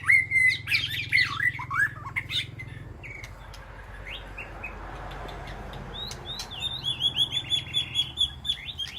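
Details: White-rumped shama calling to its flock in an aviary sanctuary: loud varied whistles and chips, a quieter pause, then a rapid series of rising notes repeated several times a second.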